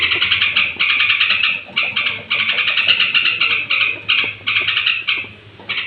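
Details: Bedtime song of a straw-headed bulbul, used to rouse other bulbuls; continuous strings of fast, bright pulsed notes in phrases about a second long, separated by tiny breaks.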